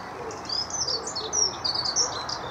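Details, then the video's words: A dunnock gives a rapid, high warbling jumble of thin squeaky notes that runs on without a break, over a soft background hiss. "Dunnock chirruping"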